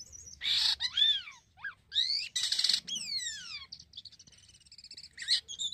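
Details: A black-winged myna in full song, used as a lure to prompt other birds, sings a varied, energetic phrase mixing harsh scratchy bursts with loud arching whistles, then fainter chattering notes.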